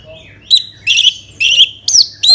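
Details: Orange-headed thrush song used to coax other birds into singing: a soft whistle, then five harsh, buzzy, rasping bursts about every half second over a faint low hum.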